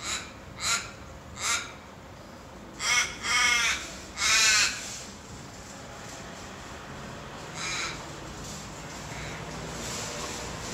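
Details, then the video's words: Australian crow giving harsh, nasal caws: three short ones, then a run of longer, drawn-out, throaty calls, and one last caw after a pause. "Crow song. Australian"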